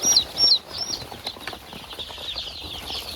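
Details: Crowded in a box on a poultry farm to escape the cold, chicks call in a thick chorus; near the start several loud, clear peeps slide downward one after another, then the high cheeping carries on softer.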